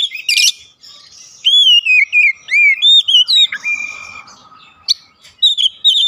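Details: Oriental magpie-robin song used to provoke other birds at home into replying: brief harsh burst, then a clear series of looping whistled notes repeated rapidly, ending with scattered sharp chips.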